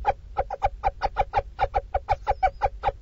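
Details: Little owl mother at a Dorset nestbox, calling as she feeds her chicks: about fifteen harsh clucks, unevenly spaced, with a brief thin whistle near the end.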